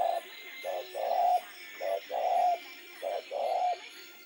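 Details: Spotted dove calling at night, giving low hollow coos in a short-then-long pattern repeated about every second, over a faint high steady hum.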